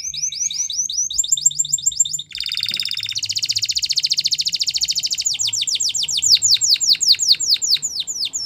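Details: Spanish Timbrado canary song used for training canaries, moving from quick chirped notes into a long, rapid buzzing trill, then a run of loud steep downward whistles.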